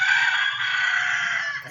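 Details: A rooster crows, possibly one of two roosters competing. Its loud, strained crow holds steady for over a second, then breaks off abruptly.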